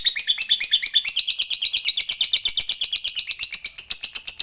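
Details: Lovebird fighter performing the long ngekek chatter prized by hobbyists, on a lure recording; a loud, rapid, even rattling trill of evenly pulsed high notes, continuous from start to finish.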